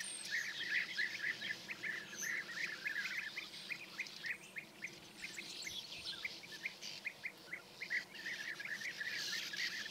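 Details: Flock of European bee-eaters in Hungary, 10 May 2024, early morning, near perches also used by sand martins and a starling: dense rapid rolling calls overlapping continuously over a hissing background.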